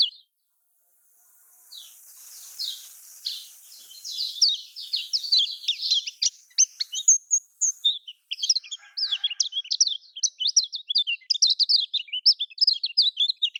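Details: Lombok-style song of a lemon-bellied white-eye, played to coax silent caged birds into singing. Faint, hissy twitters at first build into a loud, fast chatter of sharp, high slurred notes over the second half.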